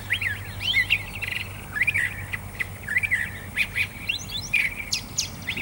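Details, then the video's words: Continuous Curve-billed Thrasher song, a jumble of looping whistles, chattering trills and sharp upward-sweeping notes repeated in fast varied phrases, with a low steady hum beneath. "Curve Billed Thrasher song"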